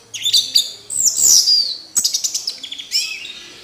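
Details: Orange-headed thrush song: a sweeping, high, scratchy whistle, then a quick run of about seven clipped, repeated notes and a final rising twitter.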